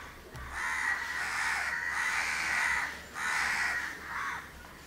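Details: House crows, a pair grooming one another at Candolim in Goa, December 2010; long drawn-out grating caws, one stretching over two seconds, followed by shorter ones.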